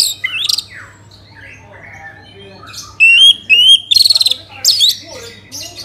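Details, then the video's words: Orange-headed thrush from Bali singing a lure song meant to draw song from other birds. Scattered soft chirps give way to loud whistled phrases: two rising slurs, a quick trill and a final bright burst. "Pancingan ANIS MERAH agar cepat Berkicau Gacor"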